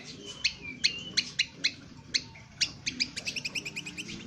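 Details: Indonesian honeyeater, ngriwik kasar rough twitter used for training birds: a series of sharp, high chirps roughly every quarter second, quickening at the end into a tight run of short ticking notes.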